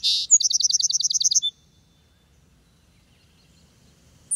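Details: Song Sparrow song from the Northeast U.S.: harsh buzzy opening note, bright rapid trill of about a dozen high notes, short clipped ending; a viewer suggests the bird may be a Lincoln's Sparrow.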